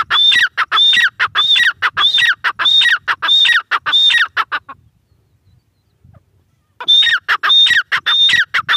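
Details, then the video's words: A grey francolin (teetar) calls over and over in quick, regular, shrill whistled notes with a lower second part. It falls silent for about two seconds, then starts the same pattern again. "teetar sound | gray francolin teetar voice"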